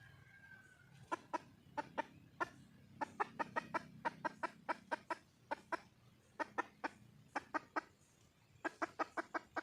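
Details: Wild red junglefowl hen calling for a male: long runs of short, sharp clucks, some in quick pairs and triplets, with brief pauses between bursts over a low background hum.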